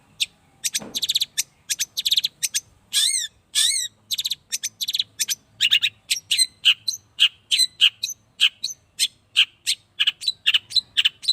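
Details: Long-tailed shrike, an 8-month-old caged bird sunned for the first time, sings a loud rapid series of sharp chattering notes with buzzy rising-falling whistles, dense bursts about every half second, a brief low thump near the start.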